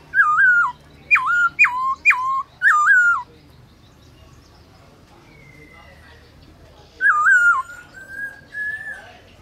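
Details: Midday forest-voice song of a black-throated laughingthrush, used for training kept birds: four quick wavering whistled phrases, a pause, a faint drawn-out high whistle, then one more wavering phrase and a long level whistle.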